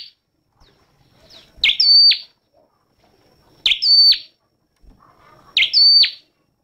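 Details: Three bright, piercing notes from a red-headed flowerpecker, spaced about two seconds apart. Each rises quickly, holds a thin whistled tone, then falls abruptly. Faint soft chirps sit between them.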